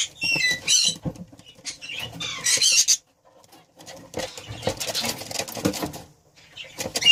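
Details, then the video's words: Breeding pair of budgerigars: bursts of high, scratchy chattering and warbling squeaks in short clusters with silent gaps, plus soft rustling and tapping below. "Breeding pair budgie"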